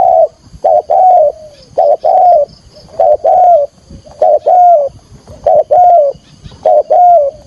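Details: Spotted dove used as a decoy bird, calling to lure wild doves for trapping; full cooing phrases in a strong voice. Loud, low hooting coos in paired bursts with a falling tail, repeated roughly every second throughout, with no other clear sounds.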